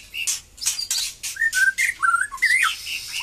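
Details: Moulted white-rumped shama regaining its song, giving short rich whistled slurs rising and falling, amid strong bursts of broadband hissy background noise.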